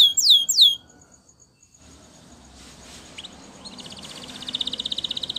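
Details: Training song of a Spanish Timbrado canary. Two loud downslurred whistles open, followed by a near-silent stretch with faint notes, then a quiet rolling trill that slowly grows louder.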